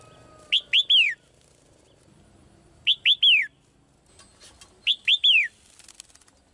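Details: Caged female bird singing to call the male: three bright phrases, each of three quick arched whistled notes with the last one slurring downward, repeated about every two seconds.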